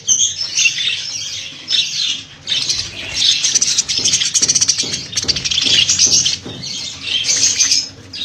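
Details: Flock of budgerigars kept for sale: bright, chattering warbles rising and falling in waves over a steady series of soft low thuds, the high twittering never pausing.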